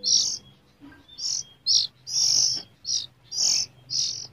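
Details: Young hand-fed Oriental Magpie-Robin, hungry in the morning just before feeding, gives harsh, hissing begging rasps, about seven short high-pitched bursts in four seconds, over a faint low hum.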